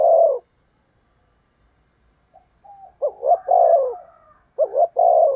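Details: Captive decoy spotted dove cooing to attract wild doves: the tail of one coo, a pause, then a full phrase of two brief notes and a long coo, and the start of another.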